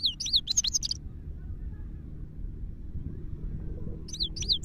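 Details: Himalayan goldfinch in Parachinar giving short bursts of quick, ringing chirps with curved high notes at the start and end, separated by a few seconds of quiet with only low background rumble.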